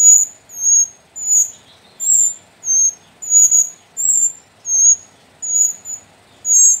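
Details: Young captive sooty-headed bulbuls, a brood of four from the Sumbing mountain slopes, give steady shrill squeaks, each short and piercing, about ten in seven seconds against a quiet background.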